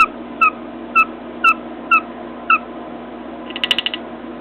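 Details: Short down-slurred chirps repeated roughly twice a second by a pet cockatiel on its cage, followed by a quick rattle of small taps as it bangs its beak on a mirror.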